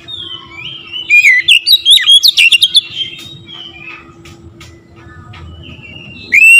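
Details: A magpie-robin's provoking gacor song: a rapid run of rich whistles and chattering notes for about two seconds, tapering into a few scattered soft notes, then near silence with a low hum before a final loud note.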